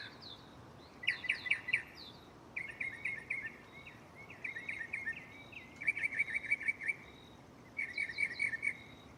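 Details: At night a mockingbird sings from a nearby tree. Bursts of jumbled chattering chirps alternate with short clear whistles, each burst lasting about a second and varying in pattern.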